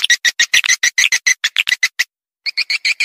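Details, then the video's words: Lure call for swiftlets: a steady series of short, bright chirps about four per second, a brief pause, then the chirping resumes. "Panggil burung walet suara"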